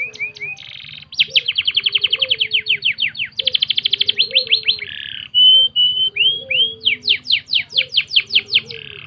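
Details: Canary singing as a tutor recording for training birds, a rapid string of upward-sweeping notes, a dense rattling trill, clear whistles and more rising sweeps, all loud and continuous over a faint low hum.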